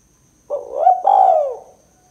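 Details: Spotted dove calling in the 'kuk 2' pattern, used as a lure and prompt: a mellow rising first coo, then a louder sustained second coo bending downward before fading, with no other sounds.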